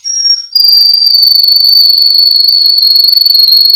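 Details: Russian canary, a male bird from a Miami, Florida breeder, singing for training: one short high note, then a loud, even, rapidly pulsing roll held steadily for over three seconds.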